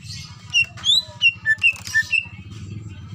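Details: Female greater green leafbird in breeding condition calling to attract a male: a series of about seven short, clear whistled notes, some rising, spaced roughly a quarter second apart, over a steady low pulsing hum.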